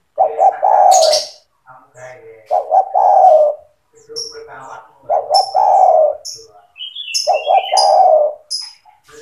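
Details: Spotted dove in vigorous gacor song used to train young doves: repeated phrases of two quick coos and a long falling coo, four phrases, with high thin chirps and whistles of other small birds between them.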